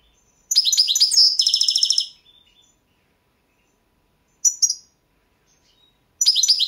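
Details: Balkan European goldfinch singing in a 2022 world championship competition recording: a rich burst of high chattering twitters flowing into a fast buzzy trill, then a short chirp pair and another twittering phrase after silence.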